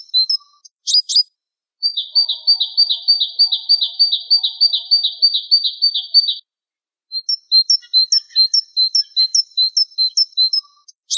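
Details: Gelatik wingko (Java sparrow) in a tutor-recording compilation: a few sharp high flicked notes, then a long, even, fast trill of buzzy high notes, a pause, and a series of high chirps ending in another flick.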